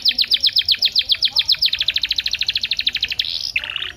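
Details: Canary song used to get canaries singing: a long string of crisp, rhythmic high chips that speeds into a tighter trill, ending with a buzzy, sustained phrase and a lower rattle.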